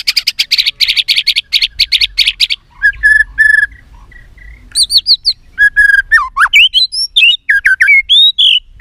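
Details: Fighting song of a White-rumped shama: a fast run of about a dozen buzzy notes, then a short pause, then varied clear whistles that rise, fall and loop in quick succession.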